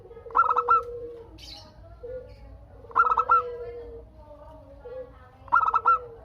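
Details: Local perkutut, the zebra dove, singing to trigger replies from other doves; three quick, stammering coo phrases about two and a half seconds apart, backed by steady lower cooing.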